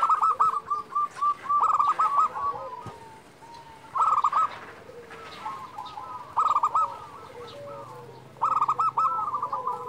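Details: Lively local zebra doves, perkutut lokal, calling as a lure for reluctant singers. Tight clusters of staccato, slightly rolling coos alternate with quieter trailing phrases, several doves overlapping throughout.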